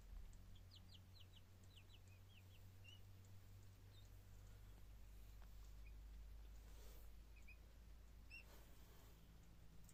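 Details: Japanese quail chicks peeping from inside pipped eggs in an incubator on day 16 to 17, among 200 eggs set, fan switched off: a quick burst of faint, thin, falling chirps, then scattered single peeps and soft clicks.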